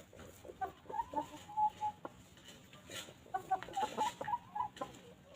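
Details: Hens walking freely on a farm while grazing and pecking fresh grass, giving a steady run of short, mid-pitched clucks, several per second in two bouts, with faint scratching and pecking between them.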